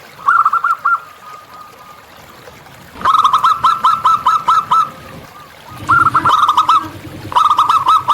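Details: Zebra dove of a local wild strain singing freely, giving brisk strings of bubbling coo notes repeated in several phrases, some long and some short, with short quiet gaps between them.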